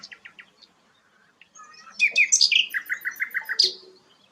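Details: Sikatan londo, a rare flycatcher, gives a few soft notes, then a loud excited phrase of slurred whistles and a quick run of repeated chips, ending on a high whistle.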